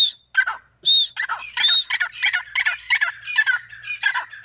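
A female grey francolin gives rapid bursts of harsh, chattering notes, several a second, mixed with a few clear, high whistled tones. No other sounds are heard.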